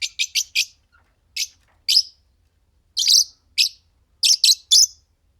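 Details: Green Fischer's lovebird pair singing and chirping: a fast run of four piercing chirps, then louder, rasping high notes in ones, pairs and trios at uneven intervals.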